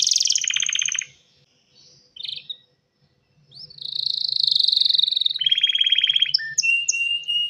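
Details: ['Male canary singing to call a female for mating: a buzzy high trill, a nearly silent pause broken by one short note, then rolling trills, a buzzy rattle and a few clipped whistles.']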